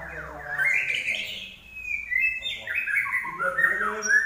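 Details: Energetic Common iora song: a smooth descending slur leads into long, clear whistled notes held level, then stepping lower, closing with rich warbled whistles.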